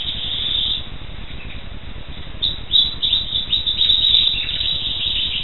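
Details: Black siskin song: a thin, fast twittering of high chirps that starts faint and grows busier and louder after the midpoint.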